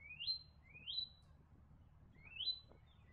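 Leaden Flycatcher giving three rising, upslurred whistles about a second apart, each sweeping upward and levelling off at a high pitch; faint background hum.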